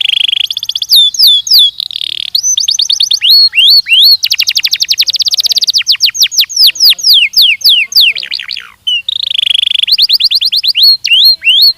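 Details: Belgian canary singing for training: long, varied phrases of rapid trills, sharp looping slurs and buzzy stretches, with brief pauses, all high-pitched and clean.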